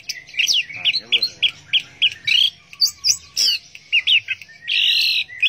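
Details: Orange-headed thrush delivering loud, rhythmic phrases of chirpy, slurred notes about twice a second, with a brief low grating sound and a final buzzy burst.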